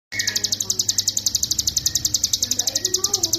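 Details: Hill prinia singing in the continuous ngebren style, used as a master recording for training songbirds: a fast, even string of high, sharp chipping notes, about eight per second, over a low background murmur.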